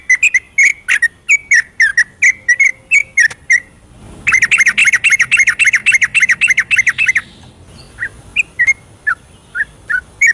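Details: Yellow-vented bulbul giving a night ropelan as a lure for lazy singers: quick whistled notes that break into a dense, rapid rattling burst of chatter, then settle into sparse, scattered whistles.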